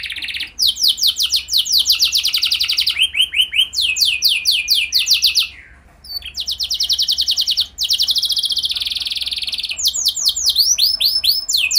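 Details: Canary singing as a lure to get other canaries to sing along: long rapid trills of repeated swept notes, switching between higher and lower rolling tours, with short breaks and a sharp downward slide midway.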